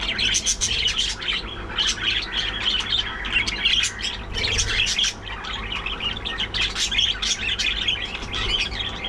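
A flock of budgerigars chatters nonstop with high, scratchy chirps and warbles that overlap from many birds.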